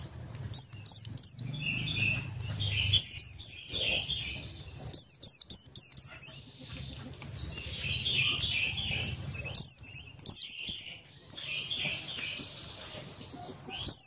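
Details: Buxtoni Oriental white-eye in ngalas style, meant as a lure for other white-eyes: fast clusters of piercing downward whistles mixed with softer twittering chatter, with a low rumble in the background.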